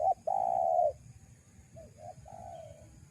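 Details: Spotted dove lure call for wild doves: one long loud coo followed by softer, shorter coos, with a low background hum.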